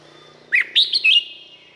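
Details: A single lively phrase from a Red-whiskered bulbul in Thailand, made of a downward chirp followed by three bright quick notes. The phrase ends in a sustained ringing trail over a faint low hum.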